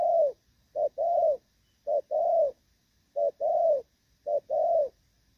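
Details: Spotted dove in moult, Thổ Pha style, with its lead-in and coo phrasing still rated good: short clipped note followed by a drawn-out mellow coo, repeated about five times with clean pauses.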